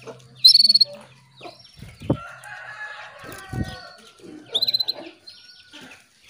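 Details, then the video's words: Female canary calling a male to trigger his breeding urge and song: two rapid bursts of high ticking notes about four seconds apart, separated by thumps, clicks and softer warbling sounds. "PANCINGAN KENARI BETINA MEMANGGIL JANTAN"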